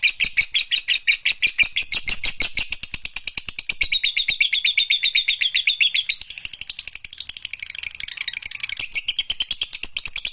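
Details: Long lovebird song made of fast, harsh, ticking chirps with wavering squeaky overtones. It is loudest in the first six seconds, then continues a little softer and more scratchy to the end.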